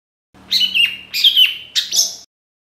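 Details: Long-tailed shrike song meant to prompt other shrikes to sing: three grating, buzzy phrases, each sliding down sharply at the end, the last higher and scratchier.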